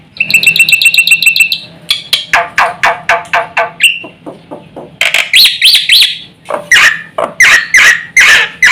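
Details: Black-winged myna singing vigorously with many varied phrases, used to rouse other mynas: a fast chirping run, then a series of harsh downward notes, a short clear whistle, and loud scratchy rising squawks.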